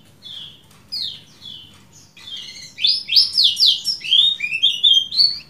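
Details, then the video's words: Lemon-bellied white-eye chirps in 'ciak jos' style, recorded for masteran: a few spaced, falling notes that build into a dense, energetic burst of shrill, up-and-down calls. "MASTERAN AMPUH CIAK JOS KECIAL KUNING DURASI PANJANG"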